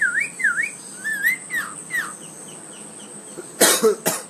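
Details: Javan myna in lively form, mimicking talking and coughing: a run of whistled notes that rise and fall in pitch, then two harsh, broadband cough-like bursts near the end.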